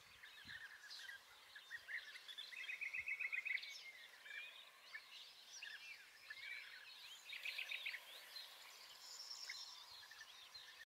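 A flock of European bee-eaters gives soft, rolling, liquid trills that overlap almost continuously, some bursts louder, over a faint background hiss.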